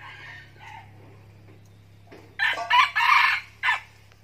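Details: Escaped decoy red junglefowl, said to be following the call of love. Faint short calls open, then a loud, harsh, broken crow of several rapid bursts near the end, over a steady low hum.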